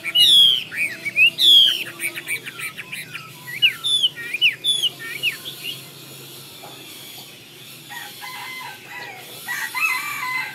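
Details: Chinese hwamei delivering bright, ringing whistled phrases and quick slurred notes in the first half, then fading to quieter, scattered twitters and soft chirps.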